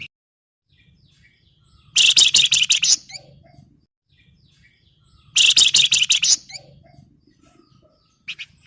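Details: Flamboyan in breeding condition calling to a rival, used to provoke other birds into singing: two loud, dense, harsh high bursts of rapid notes about a second long, spaced several seconds apart, with a faint low hum.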